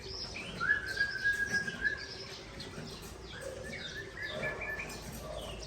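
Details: Aceh white-rumped shama from Tangse, Aceh, countering a rival in song: a long sustained level whistle, then scattered softer notes and short whistled phrases over a low hum.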